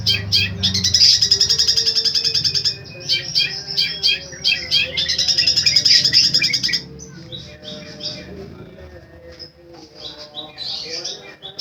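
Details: Long-tailed shrike singing a varied, powerful song with repeated phrases: dense high chattering and buzzy trills in loud bursts, then a quieter, scratchier stretch of mixed notes with some faint lower background sound.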